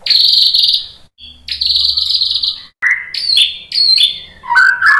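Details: White-rumped shama singing to provoke other shamas: long high buzzy whistles followed by quick stepped whistled notes jumping between pitches.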